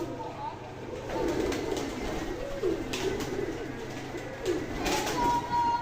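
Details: Several giribaz pigeons, a Bangladeshi breed from Rajshahi, keep up rhythmic rolling coos, rising and falling about three times a second, indoors with rustling, a low hum and a brief high tone near the end.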